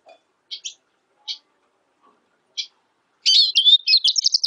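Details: Black siskin giving a few spaced, high chip notes, then breaking into a fast, warbling twitter of mixed whistles and buzzy trills.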